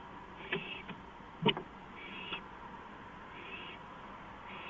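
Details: Owl on a porch at 2:05 AM on 5 April 2015, from a live camera; a few raspy, breathy hissing bursts with sharp knocks and clicks between them, over a steady background hum.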